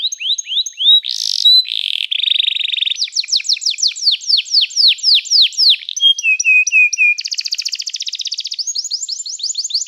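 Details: Canary singing for training, a varied rapid song of high rising and falling whistled notes, buzzy trills and quick repeated syllables, changing phrase every second or two.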